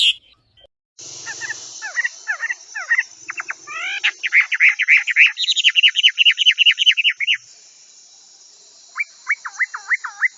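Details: Chinese hwamei song used as a master recording to train other birds: loud, varied whistled phrases, quick slurred notes, rapid trills of repeated rising notes, a pause, then a looping series of clear whistles at the end.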